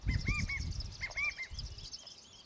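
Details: California quail giving a quick series of short, arched, clear call notes in two bursts of two or three, over low rumbling background noise.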